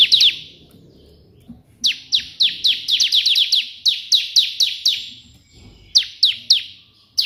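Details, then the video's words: Bar-winged prinia delivering energetic 'tembakan' burst song for tutoring: a dense, chattering volley of high, steeply falling notes lasting several seconds, a pause, then a shorter volley. "burung ciblek gacor versi tembakan perenjak putih cocok untuk masteran"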